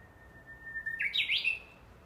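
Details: Japanese bush warbler singing on 12 July 2014 in woodland around an imperial tomb behind a house: a long steady whistle that jumps into a quick, loud, rising-and-falling flourish, the familiar ho-hokekyo phrase.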